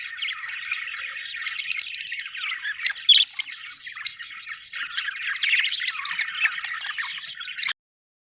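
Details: Budgies chatter at length, mixing scratchy warbles, clicks and sharp squeaks in an unbroken flow before stopping abruptly.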